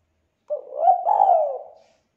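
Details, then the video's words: Single drawn-out, mellow coo from a spotted dove, part of a 'kuk 2' style lure meant to make other doves call; the note swells and wavers gently before fading. "SUARA PANCINGAN TEKUKUR KUK 2 GACOR"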